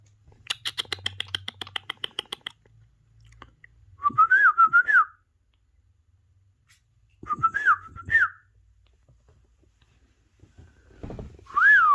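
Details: Parrot kept as a pet, watching parrot videos on a phone, rattles off a long series of clicks, then three bursts of wavering, chattering whistled phrases separated by pauses, with a faint low hum beneath.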